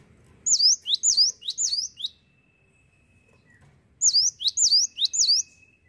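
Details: Singing cinereous tit, called gelatik watu, repeating high, ringing, swooping whistles in two quick runs of several notes, with a thin steady whine in the background.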